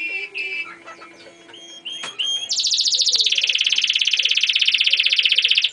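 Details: German crested canary singing, opening with scattered whistled notes over faint background sounds, then breaking into a loud, fast rattling trill held for about three seconds.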